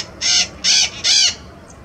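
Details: White-eyed parakeet (maracanã-pequena) recorded in the wild beside a road near a highway in Brazil; three loud, harsh, grating screeches about 0.2 seconds each, evenly spaced, with faint background hiss.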